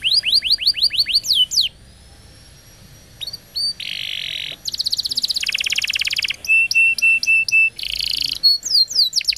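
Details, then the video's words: Canary singing on a long lure recording meant to get young canaries twittering. It opens with rapid downward-sweeping notes, then buzzy blocks, dense rattling trills and a steady run of clear, repeated high pips. "CUIT CUIT PANCINGAN Kenari Gacor Panjang !! KENARI PAUD NGERIWIK & Macet Bunyi Nyaut"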